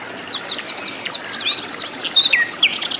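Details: Wild flycatcher singing energetically in its natural habitat: a quick run of high, thin whistled notes that slur up and down, some sharp downward glides near the end, with faint rustling behind.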